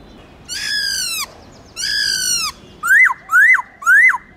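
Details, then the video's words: Black-throated laughingthrush in forest-style song meant to stimulate caged birds. Two long, harsh, descending harmonic-rich notes are followed by three sharp whistles, each snapping upward then dropping. "Khướu bạc má Hót Nhiều Giọng kích trống căng lửa/Luyện khướu bạc má hót giọng rừng cực chuẩn"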